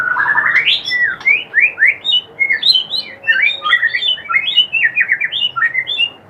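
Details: White-rumped shama kretekan used to provoke rival shamas: rapid chattering run of short, varied whistled and rising notes, mostly high-pitched, over a steady low background hiss.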